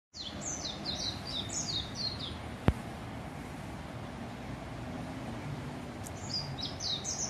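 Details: Japanese white-eye in a garden in Kiryu, Gunma, Japan, April 2020: two bursts of rapid, thin, high twittered notes tumbling up and down, separated by a pause, with a single sharp click and a steady low rumble of background noise.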